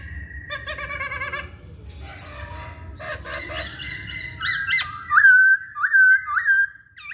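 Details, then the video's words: Masked laughingthrush used to coax birds into song: a wavering whistle and harsh, buzzy chatter, then three loud, looping whistled phrases. "Pancingan Poksay Hongkong"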